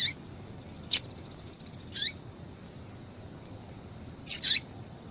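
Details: Female double-collared seedeater, described as a much-calling female used by breeders to stimulate males: a few short, high chirps with quick falling tails, spaced about two seconds apart, plus sharp clicks, over a faint steady hiss.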